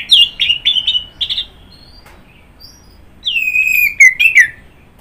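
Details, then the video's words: Orange-headed thrush (anis merah) song: a quick string of bright chipping notes, a brief pause, then a long whistled phrase sliding downward with trilled flourishes. "Kicauan Burung Anis Merah"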